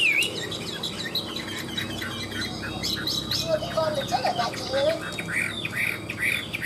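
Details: Caged Chinese hwamei of the 'ngũ trường' style, sung high when hung out: softer, scattered whistled notes and brief trills over background hiss, with a few lower fluty slurs in the middle.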